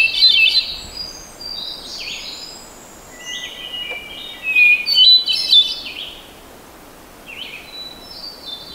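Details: Hermit thrush singing clear, flute-like phrases, each opening on a held whistle and dissolving into higher fluttering notes, given roughly every one to two seconds with brief pauses.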